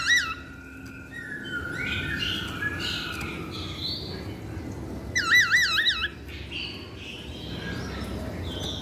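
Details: Masked laughingthrush, a trigger recording used to provoke singing. Several other bird calls at first, then a loud burst of wavering, warbled whistles around the middle over a steady low hum.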